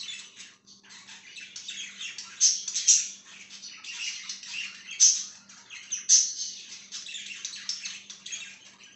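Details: Indoor budgerigar chatter, gritty warbled chirps rising into louder bursts with several sharp high squeaks, a faint hum beneath.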